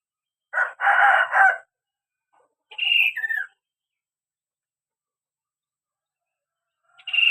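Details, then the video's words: Kaso-kaso bird in lively song, meant to coax other birds into answering: a harsh, broad buzzy burst, then a whistled high note sliding to a lower one, and another phrase starting at the end. "burung kaso-kaso gacor"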